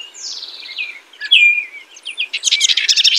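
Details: A house wren sings a descending slurred whistle, then a sharp downward note, followed by a rapid churring trill of high chips.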